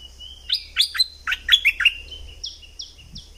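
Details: Southern Thick-billed flowerpecker used as a lure sound: crisp, high descending chirps in a clustered burst, then three thin, evenly spaced high notes, in a quiet setting with little background.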